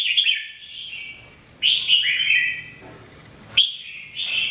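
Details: Red-whiskered bulbul (jambul) recorded for song training, giving several short warbled phrases of clear, slurred whistles separated by brief pauses.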